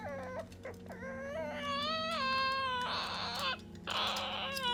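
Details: Pet Ducorps's cockatoo indoors, torn between playing with a toy and wanting to be petted by its owner, gives drawn-out, whining, wavering tonal cries that rise in pitch, broken by two loud, harsh screeches.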